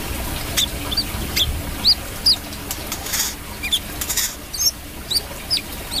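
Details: Brown-throated sunbird song: thin, high chirps, many with a quick downward flick, repeated about twice a second with brief scratchy bursts between, over steady low noise.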